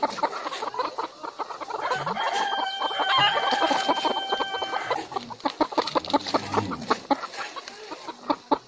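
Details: Rooster crowing: a long, steady harmonic crow lasting about two and a half seconds in the middle, surrounded by dense, rapid clucking from several chickens before and after.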